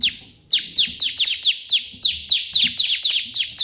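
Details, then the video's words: Bar-winged prinia (ciblek) singing vigorously in the 'tembakan' burst style, as a tutor recording: a fast run of sharp, high notes each sweeping steeply downward, about four per second after a short opening pause. "burung ciblek gacor versi tembakan perenjak putih cocok untuk masteran"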